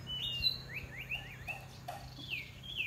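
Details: Huýt cô bird singing in a contest, quick run of rising and falling whistled notes, then a long sweeping whistle, over low background hum and a few clicks.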